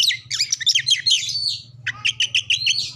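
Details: Lure recording of an Oriental magpie-robin, played to make other birds sing and spread their tails: a rapid tumbling warble of high sweet notes, then a string of evenly spaced whistled chirps, with a faint low hum behind.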